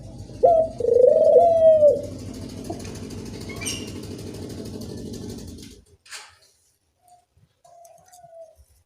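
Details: Barbary dove (puter) lure call for training doves. One loud, wavering, drawn-out coo opens the clip, followed by a few seconds of steady low background noise and a faint, distant coo near the end.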